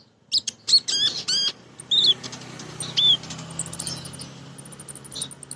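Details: Female sunbird, locally called kolibri ninja, singing in the ngriwik, nyrecet and nembak style, used as a lure to stimulate other birds. Sharp high chirps and short downslurred notes come in quick bursts for two seconds, then fade into scattered faint notes over a low hum.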